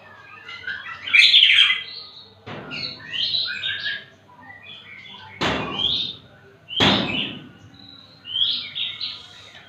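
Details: Magpie-robin singing calmly despite children playing close by: loud rich whistled bursts and short warbled phrases separated by pauses, with two sharp thumping knocks.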